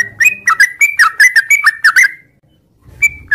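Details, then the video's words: Morning song of a sooty-headed bulbul in the long 'ngropel' style: two seconds of rapid, liquid whistled notes rolling up and down, then a pause before a single note resumes, with faint low rumble behind. "suara trucuk ngropel panjang di pagi hari"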